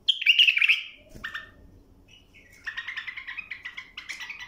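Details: Bulbul song used to tutor young birds toward a clear song: a loud, bright warbled phrase, a short lower note, a pause, then a quick run of repeated chirpy notes, with faint low background hum.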